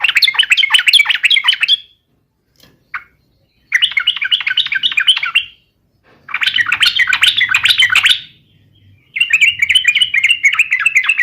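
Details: Yellow-vented bulbul singing its rival-baiting fighting song: four long, loud bursts of dense, rapid chattering notes, each lasting about two seconds, with a single short chirp between the first two.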